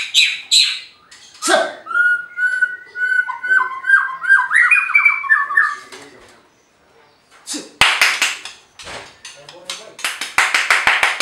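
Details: Captive white-rumped shama at a bird farm in Anyer, Banten, Indonesia, singing to make rival birds respond: sharp notes, then a long stuttering trill that climbs in steps, followed by a pause and rattling clicks.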